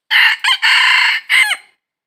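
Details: Red junglefowl crow recorded in the wild while trapping junglefowl, 22 December 2021. One bright four-syllable crow: a short opening note, a quick broken second, a sustained harsh middle note and a short final note that drops sharply. Then silence.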